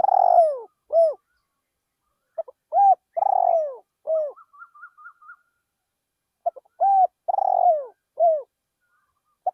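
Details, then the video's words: Decoy spotted dove calling in a rice field, used to lure wild doves: low cooing phrases, two short notes, a long rolling coo and a falling final note, repeated twice with a quiet gap; a faint high twittering series between. "นกเขาใหญ่เสียงเพราะๆ ต่อนกเขาใหญ่ ที่ทุ่งนา"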